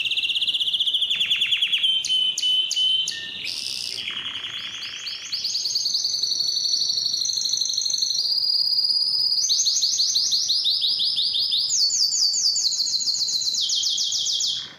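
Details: Strong domestic canary singing, a clean recording made for playing to caged canaries to spur males to sing, ready females for breeding and tutor young birds; fast rolling trills in steady tours, each shifting pitch higher or lower, almost without pause, with no other sounds.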